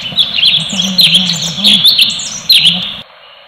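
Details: Orange-bellied leafbird (cucak cungkok) giving a full 'tembakan' burst song: rapid, chattering, twittering high notes run together in a dense continuous stream, with brief sharper accents throughout.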